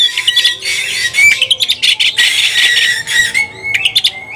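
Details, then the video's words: Agitated white-rumped shama looking for a rival, pouring out dense harsh chattering and buzzy notes mixed with quick whistled slurs, delivered in fast continuous bursts. "kacer gacor cari lawan tarung"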